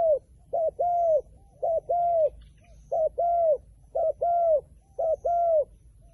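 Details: Rhythmic wild pigeon call: a short coo and a longer sustained coo, the pair repeated evenly about once a second across six seconds, against a quiet background.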